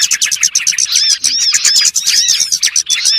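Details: Small birds (burcil) calling in a lure recording meant for trapping: busy high chirps and looping whistled notes overlapping closely, a rapid, jumbled twittering throughout.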